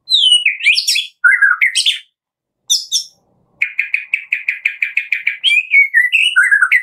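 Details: White-rumped shama of the Medan type, a morning lure recording used to prompt other shamas to sing: rich, varied song of fluting whistles and sweeping notes, a fast run of about fifteen sharp chips, then more whistled phrases.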